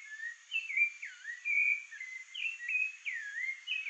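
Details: A Rufous-bellied Thrush guarding the area around its nest sings a run of clear, fluting whistled phrases, some slurred downward and some rising, delivered almost without pause; faint background hiss.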